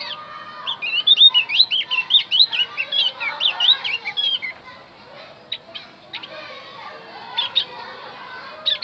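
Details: Javan white-eye song to lure wild birds: an energetic burst of high twittering and slurred chirps for about four seconds, then scattered brief clicks and a few soft notes.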